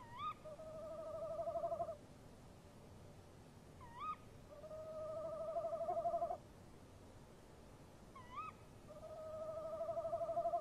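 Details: Around three in the morning on 23 March 2015, a tawny owl male and female answer each other near their nest box. Three rounds follow, each a sharp rising call and then a long, trembling, wavering hoot.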